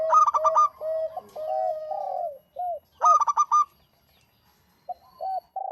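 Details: Local zebra dove song: a burst of clipped stuttering notes, then smooth rolling coos, a second stuttered burst, silence, and a few final arched coos.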